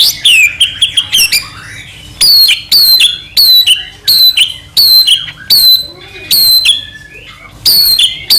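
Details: Singing white-rumped shama of the Medan type, in gacor song meant to make another shama sing. It repeats high whistled phrases that fall steeply, about one every second, with scratchy notes between them.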